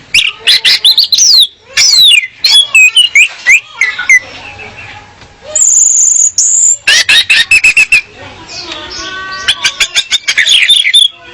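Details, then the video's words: Female orange-headed thrush singing as a lure to stir males into full song: quick, varied high whistles and chips, a sustained thin high note midway, then bursts of rapid sharp clicks and twitters. "Kicau Anis Merah Betina Pemikat Anis Merah Jantan Biar Gacor"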